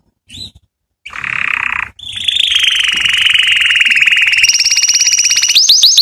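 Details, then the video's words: Canary song played to teach young canaries: a short whistle, a dense buzzy roll, then a long steady trill rising slowly in pitch, ending in quick upswept notes. "تعليم فراخ كناري على تغريد"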